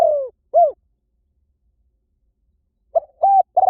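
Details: Lure song of a spotted dove meant to draw wild birds: the tail of a falling coo and a short arched note, about two seconds of silence, then a new phrase starting with a clipped note and a level coo.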